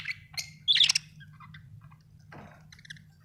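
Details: Australian budgie parrots making scattered short chirps with one loud scratchy squeak near the start and a soft rasping rustle later, over a low background hum.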